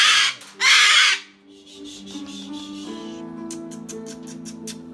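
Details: A male rescue umbrella cockatoo, being put to bed at night, gives two loud, harsh, grating screams in the first second, then a woman talks softly while faint clicks follow.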